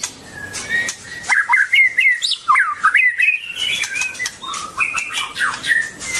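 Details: Long-tailed White-rumped Shama pouring out a rapid, varied warble of twisting whistled notes in long continuous phrases, with light clicks in the background.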